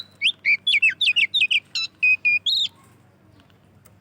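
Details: An Oriental magpie-robin in lively, loud song, used to lure others of its kind: a quick series of about a dozen bright chirped notes, roughly four per second, each dropping in pitch, ending in a short rising whistle.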